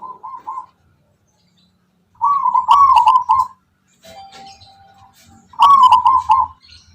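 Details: Local wild-type zebra dove of the Tangguh Tuban style, prized for a rhythmic, melodic song: soft cooing phrases of quick trilled notes, a short one, then two longer bursts about three seconds apart, with faint clicks and rustling.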